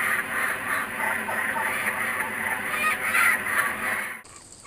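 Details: Kookaburras that have come back, captured on GoPro Hero 3D and Fujifilm W3 cameras. Continuous, coarse, rhythmic cackling rolls on, then cuts off abruptly near the end.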